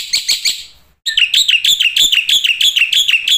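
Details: Black-winged starling song for training cage starlings: three quick harsh chips, a brief gap, then a steady string of ringing whistled notes with downward flicks, roughly four each second.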